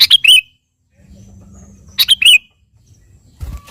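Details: A sooty-headed bulbul sings to call a rival: two crisp, bubbly three-note phrases about two seconds apart. A short burst of rustling noise follows at the end.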